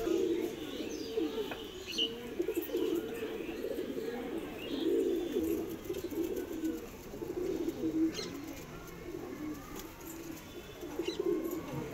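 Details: Domestic Madrasi pigeons give steady deep coos, several birds overlapping in continuous rolling waves for the whole stretch, with occasional faint clicks and chirps in the background.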